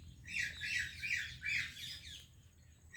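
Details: Indian parrot greeting a Pakistani parrot: a quick run of loud, raspy squawks packed closely together, fading toward the end.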